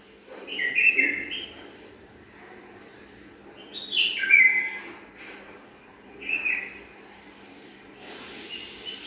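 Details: A pair of bulbuls in a garden, preparing their nest and settling into it, with a pleasant voice. Three short bursts of warbling, chirpy notes about three seconds apart, over a soft background hiss.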